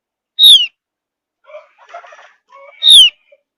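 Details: Javan grey-throated white-eye whistling as a lure to get other birds to sing along: two loud, sharp, descending whistles, separated by softer, lower, scratchy chattering notes.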